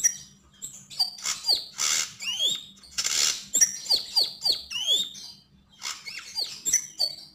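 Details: Javan grey-throated white-eye singing energetically: rapid high chirps and sharp downward-sweeping whistled notes, about a dozen in quick bursts, with short pauses between phrases.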